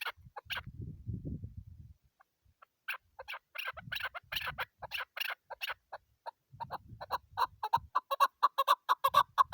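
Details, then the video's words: A female chukar partridge, apparently a hunter's bird, gives a rapid run of harsh, clucking chuck notes building into a quickening, regular series, with low rumbling handling noise early on. "chakor ki awaz keklik sesi"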